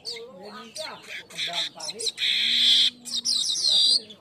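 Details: Weaver lure and master song for training birds: rising and falling chirps and short bursts build to a steady, sizzling buzz lasting under a second, followed by more buzzy fragments.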